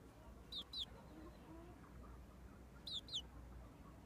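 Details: Month-and-a-half-old frizzled Pekin bantam in red mille fleur porcelain plumage peeping: two pairs of shrill, falling peeps about two seconds apart, with soft low murmurs between them.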